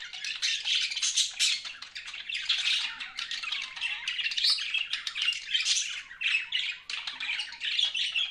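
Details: Pet budgerigars in continuous chirping, a steady stream of harsh, buzzy warbling and squawky notes with no pauses.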